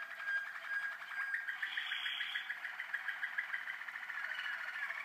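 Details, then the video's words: Young Waterslager canaries in 2012, singing a soft, continuous rolling trill of low, liquid notes with gentle pitch shifts throughout. "Jeunes malinois Waterslager 2012"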